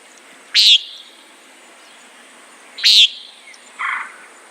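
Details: A common nighthawk calls twice with abrupt, harsh buzzy notes about two seconds apart, followed by a softer, lower buzzy note.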